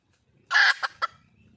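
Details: One raspy squawk from a wild red junglefowl hen calling for a male, followed by two short, clipped clucks.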